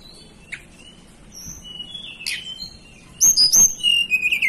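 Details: Blue flycatcher native to the Banten and West Java mountains of Indonesia: scattered thin whistles, then a burst of bright, high, warbling whistled notes that slide downward near the end.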